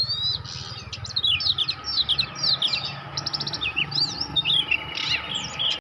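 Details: Juvenile Oriental magpie-robin practising its song: a scattered run of sharp whistled slurs, stuttering trills and chirps, with a continuous low hum underneath.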